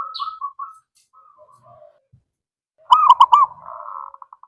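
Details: Pet zebra dove song used as a lure for other birds: scattered soft murmuring notes, then a loud triple rolling coo followed by a drawn-out hum ending in short pulses.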